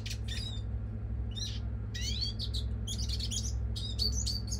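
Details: European goldfinch (Carduelis carduelis) call: quick, liquid twittering bursts, rising and falling tinkles roughly twice a second, over a steady low electrical hum.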